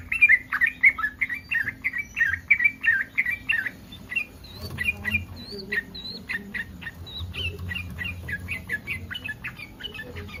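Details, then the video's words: Yellow-vented bulbul in breeding condition, calling to make other bulbuls respond: loud bubbly chattering notes at first, then fainter scattered chirps and thin whistles from other birds over a low rumble. "SUARA BURUNG TRUCUKAN BIRAHI"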